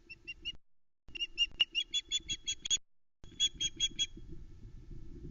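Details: Female osprey at a Loch Arkaig nest in the Arkaig Community Forest, filmed by nest cam on 12 July 2020, alarm calling at an intruder while her chicks lie flat: runs of sharp, piercing chirps, a short burst of three, then eight and five, over low nest-cam rumble.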